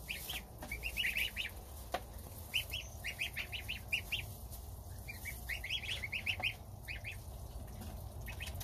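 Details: Domestic goslings at their starter feed with mother goose, father guarding outside; bright, high peeps repeated in quick runs of several notes, pausing briefly between bursts, over faint low hum.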